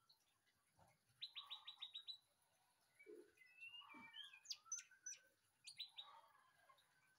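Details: White-rumped shama singing a varied song: a quick run of about seven sharp descending high notes, then rising whistles and steep upslurred notes, ending with another rapid descending burst; a few soft low thuds in the background.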